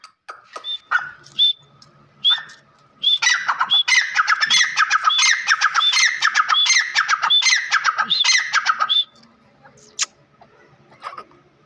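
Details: Grey francolin (teetar) gives a few scattered clicks and short notes, then bursts into a rapid run of loud, harsh, squeaky phrases for about six seconds before falling quiet, ending with one sharp click.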